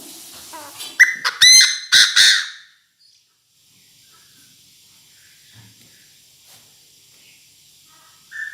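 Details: Calling the flock, a decoy Chinese francolin gives a strong, harsh phrase of several rasping, clipped notes over about two seconds, then near silence broken by a faint whistle at the close.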